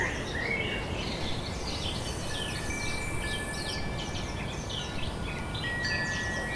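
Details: Birds singing in the Canarian Garden Viera y Clavijo on Gran Canaria, visited in March 2017; several chirpy, warbling phrases and thin sustained whistles over heavy low background rumble.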